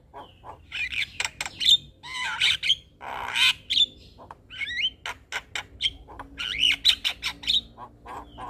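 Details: Singing male Javan myna (jalak kebo), used to provoke responses from other mynas; a busy medley of grating squawks, clicks, slurred whistles and sharp squeaky notes, uneven in rhythm and loudness throughout.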